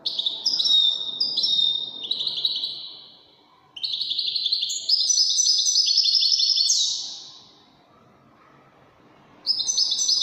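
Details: European goldfinch, called wedani, singing: bright twittering phrases of rapid high notes and buzzy trills, broken by a pause of about two seconds before another burst. Faint low background hum.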